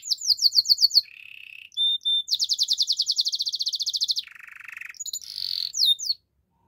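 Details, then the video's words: Belgian canary singing in the morning: a fast, varied song of rapid high chirping trills, a long rolling run of repeated notes, and buzzy lower tours, with no other sounds. "Belgian canary singing in the morning"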